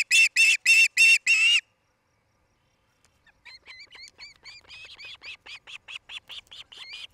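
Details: Osprey pair at their nest near Charlo, Montana, on a nest camera, 8 July 2018, late afternoon: four loud, harsh, harmonic chirps in quick succession, a short silence, then a long, quieter run of rapid chirps, about three per second.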